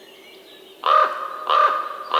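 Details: Raven calling three times in quick succession, each call a hoarse, nasal caw with a steady tonal core.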